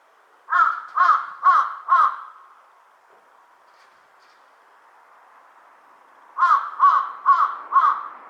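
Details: [2, 'yes', 'caw', 'Wild Large-billed crow calling: a series of four harsh, evenly spaced caws, then a quiet gap of about four seconds, then another run of four similar caws.']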